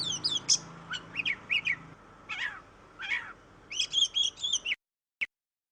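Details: Oriental magpie-robin song meant to coax a silent bird into singing: sharp chips and short whistled notes, lower rough calls, then a fast run of doubled high notes that stops abruptly.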